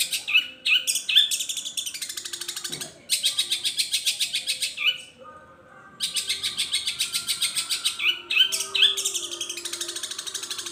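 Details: Long-tailed shrike in a long mimicking song; bursts of fast, harsh, buzzy trills broken by brief whistled notes, with one short pause near the middle.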